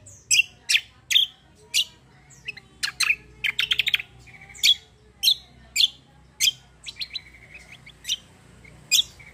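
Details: Black-winged myna singing in a fighting, rolling style: loud, harsh, explosive chirps spaced about half a second apart, with a short rattling burst and a few soft whistled notes.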